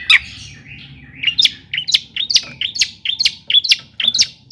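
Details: Long-tailed shrike singing to spur other shrikes on: bright sharp chirps and short varied notes repeated roughly every third of a second, with a faint low background hum.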